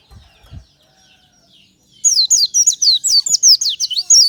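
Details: Oriental white-eye singing in the morning; after faint soft chips and low thumps, a loud burst of rapid, high, sweet descending whistled notes runs for about two seconds.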